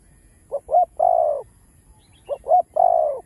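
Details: Spotted dove, a Vietnamese village and rice-field bird, cooing in a full set of chiêu, thúc and gù styles; two low mellow phrases, each two short rising notes and a long drawn-out coo.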